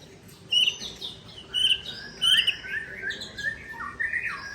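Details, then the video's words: White-rumped shama of the Aceh type from Tangse, singing against a rival: high clear whistled notes repeated about once a second, alternating with lower rising slurred phrases and softer varied twitters. "Murai Aceh Original Tangse Bereng Sebeng Lawan"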